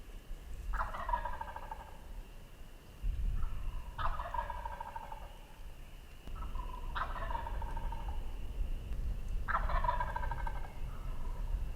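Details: Gobbling in the dark before daylight on Tennessee's turkey season opener: four rolling, rattling gobbles from wild turkey gobblers spaced about three seconds apart, some followed by shorter fainter gobbles, over a quiet rural background.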